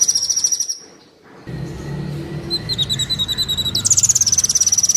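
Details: Kolibri Wulung sunbird song used to train birds: a high trill, a brief lull, scattered thin high notes over a low rumble, then a rapid high trill again.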